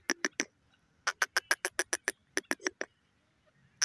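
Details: Grey francolin calling: bursts of loud, sharp, clipped notes repeated rapidly, about three to four per second, in groups of three, eight and five, separated by brief silences.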